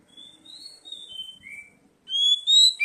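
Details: Oriental magpie-robin lure song for prompting young birds to sing: soft, drawn-out whistles that slide up and down, then a sudden louder run of high, clear whistled notes at the end.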